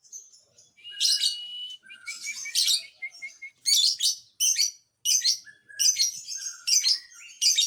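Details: Lovebird song aimed at stirring up other lovebirds: harsh squeaky bursts alternating with short high chirps, irregular and chattery, the loud phrases spaced roughly a second apart.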